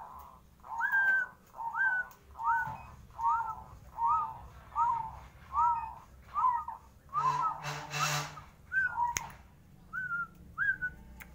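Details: Zebra dove said to obey its owner gives a steady series of short phrases about one per second. Each phrase is a sharp upslurred note followed by a low rolling coo, with a brief rustling noise partway through.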